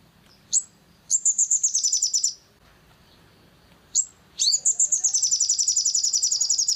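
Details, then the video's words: Long-tailed shrike used as a lure call to provoke agitation in other shrikes gives two bursts of fast, harsh, very high chattering notes, each opening with a sharp rising note, with quiet pauses between. "PANCINGAN EMOSI SOGON AGAR GACOR"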